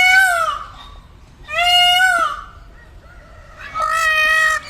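Three loud, nasal, wailing cries from a peacock, each under a second long and about two seconds apart, with quieter murmurs between them.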